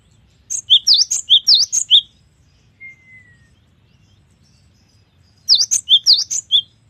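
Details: Cinereous tit (gelatik batu) delivering long, varied gacor song: two bright phrases of about seven rapid, sharp high notes alternating sweeping and whistled elements, separated by a pause with one faint thin whistle; soft low hum throughout.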